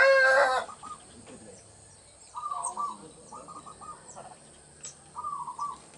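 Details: Village zebra dove, local type, sings as a lure for dove trapping; three or four short stuttering coo phrases spaced a second or more apart, after a loud harsh sound at the start and faint clicks.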